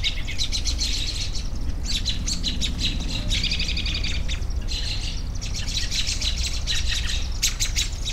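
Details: Many small birds chirp in overlapping clusters of sharp, rapid high notes that come in waves, with a persistent low rumble underneath.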